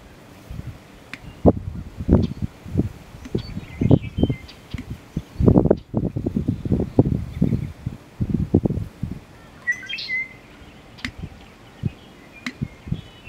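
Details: Male American bittern calling in display with low, resonant onk, onk, onk-a-chunk notes, dense pulsing bursts through the middle, and a few thin bird chirps higher above.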